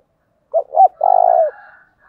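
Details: One spotted dove phrase for luring wild doves: two short, quick, throaty notes, then a longer vibrating mid-pitched coo that fades into a faint trailing hum.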